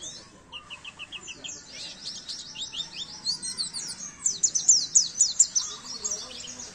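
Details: Oriental white-eye masteran song for training caged birds: very high, rapid series of sharp downslurred chips and trills, becoming louder and denser near the end, with a brief lower twitter at the start.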